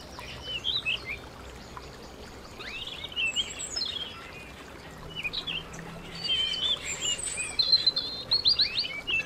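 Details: Canary singing indoors at home: high chirped notes and quick twittering runs in uneven bursts, growing busier toward the end, with a constant faint background hiss.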